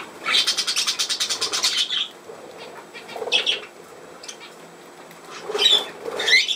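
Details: Budgerigar opening with a rapid rattling series of pulsed buzzy notes for about two seconds, then quieter pauses and a few upward-sweeping squeaks near the end.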